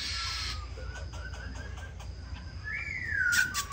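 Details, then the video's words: Black-throated laughingthrush singing and displaying, used to stimulate other birds, gives a few short whistled notes, then a loud slurred whistle rising and falling near the end, over a low hum. "Khướu bạc má hót múa hay"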